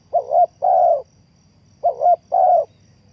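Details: Two matching cooing phrases from a spotted dove used to lure birds into a trap. Each is a short wavering coo and a longer, steady, throaty coo, separated by a second of quiet.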